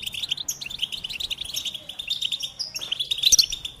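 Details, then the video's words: Goldfinch giving a lively twittering song of rapid high chirps and trills, ending with a few sharper, clearer whistled notes. "Experience the Goldfinch Singing"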